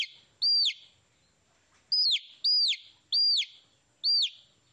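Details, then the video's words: Chicks peeping, each note a bright downward-arching chirp, one lone call followed by a run of four evenly spaced peeps, with near silence in between. "Tiếng gà con kêu - Baby Chicks Chirping Sounds"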